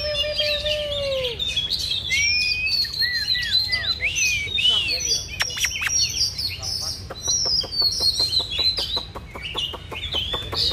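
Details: An Oriental magpie-robin fans its tail while singing in a contest with another bird, giving a varied run of clear whistles, slurred rising and falling notes and sharp chips, with a rapid ticking series near the end.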